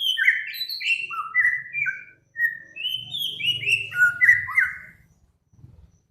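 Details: Cage-bird master recording of birdsong, combining Samyong, Kancilan Flores and Garugiwa song for training cage birds: rapid clear whistled notes, many sliding downward, delivered in quick varied bursts with a short pause mid-phrase, then fading with faint low rumble.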